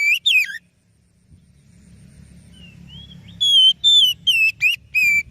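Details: Oriental magpie-robin (kacer) song used as a lure: a brief pair of whistles, a quiet stretch with soft low noise and faint thin notes, then a run of loud clear whistled notes.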